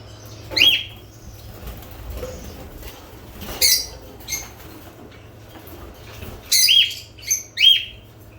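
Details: Lovebirds giving sharp, high chirps in short bursts, a pair near the start, a loud one mid-clip and a cluster of three or four toward the end, over a faint low hum.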